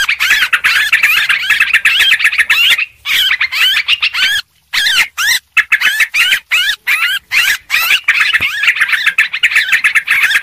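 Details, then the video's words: Lure sound of a noisy Sooty-headed bulbul: long stretches of fast, bubbling, twisting chirps, broken in the middle by a few short silences before the chatter resumes. "suara pikat burung trucuk ribut"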